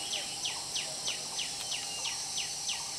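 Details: Puff-throated babblers, also called spotted babblers, feeding a hungry young bird: high, thin notes sliding sharply downward, repeated steadily about three times a second over a constant hiss of insects.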